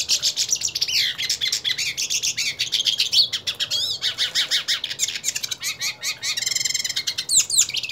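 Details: A purebred hooded siskin challenging another hooded siskin pours out an unbroken, fast song of high twittering notes, repeated sweeping whistles and a buzzy rattle late in the phrase.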